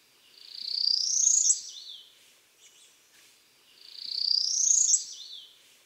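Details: A Northern Parula sings its very buzzy song, likened to a zipper or 'zee-yup': two high, buzzy trills, each rising and snapping off with an abrupt upward flick at the end.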